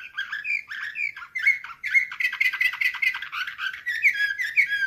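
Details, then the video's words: Singing canary of the Slavujar, nightingale-type song: a few rising whistled notes, then long fast rattling rolls and buzzy tours, closing with clear slurred whistles in quick succession. "Uccello dell'usignolo delle Canarie Slavujar 2024"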